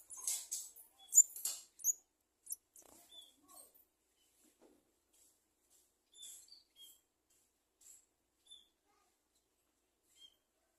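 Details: Garden sunbird chick calling as its mother brings food: a dense burst of thin, very high chirps and squeaks at the start, then sparse, short, high tweets spaced roughly one second apart, fading toward the end.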